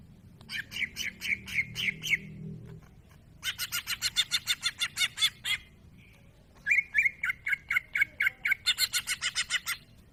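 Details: Greater green leafbird singing actively: three bursts of rapid, evenly repeated sharp notes near the upper-middle range, some steady and whistled, others buzzy and broadband, each phrase lasting two to three seconds with brief pauses between.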